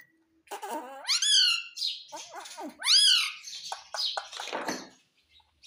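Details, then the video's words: Talking pet parrot repeating "mummy" in mimicry: two strong rising-then-falling harmonic phrases about two seconds apart, broken up by shorter raspy syllables and a brief harsh burst near the end; no other voices. "Parrot Speaking mummy mummy"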